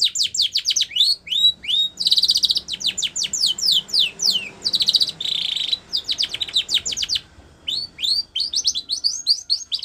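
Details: A white Spanish Timbrado canary sings a training song for young canaries, with dense runs of sharp descending notes broken by short buzzy rolls, continuing almost without pause.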